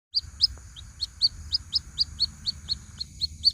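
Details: White-breasted waterhen chick calling its mother, in a bird-lure recording: a steady run of short, high, sharp peeps, about four each second, each note bending up slightly, over a faint low hum.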